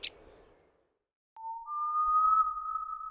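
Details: A brief click, a pause, then two steady electronic tones held side by side like a sonar ping, with no animal voice.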